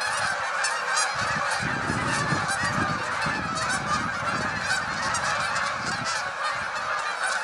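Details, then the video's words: Hundreds of Canada geese suddenly take to the sky, calling together with overlapping loud nasal honks at a steady rapid pace over a rushing background that may be wings or wind. "Canada Geese"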